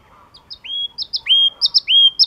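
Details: Yellow-cheeked tit singing high twin chips, each pair followed by a long, even whistled note that drops at the start, repeated three times.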